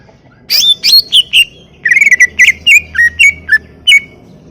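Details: Greater green leafbird in full, nonstop song (gacor), recorded as a tutor track for training songbirds: a run of clear whistled notes, some sweeping down and others wavering, then short slurred phrases repeated in quick, jerky succession.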